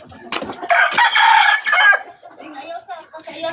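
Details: Backyard poultry rooster: one loud, hoarse crow lasting about a second and a half, rich and harmonic, followed by softer clucks and murmurs from other chickens.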